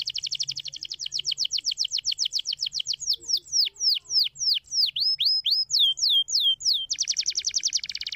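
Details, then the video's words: Canary song played to stimulate other canaries to sing, with a fast trill of rapid notes, then slower, separate, sweeping downslurred whistles about three a second, and finally a quick buzzy rolling trill, clear and loud throughout. "speciaal om het geluid van de luie vogel te stimuleren"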